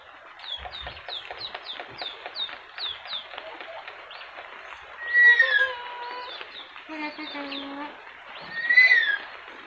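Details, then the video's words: Cockatoo talking: a few loud, harmonic, speech-like syllables with shifting pitch in the second half, after a run of repeated short chirps from other birds at the start. "burung kakatua ngomong"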